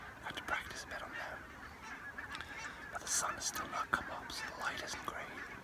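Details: Barnacle geese in their hundreds around a hide on wintering grounds in southern Scotland, pre-dawn: scattered nasal yelps rise over a softer background chorus, punctuated by sharp clicking bursts.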